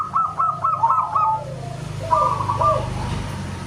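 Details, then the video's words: Local zebra dove song, loud and whistle-like: a quick series of short clipped coos, a gap, then a brief second phrase of a few notes, against a steady background rumble. "Suara keras seperti Pluit"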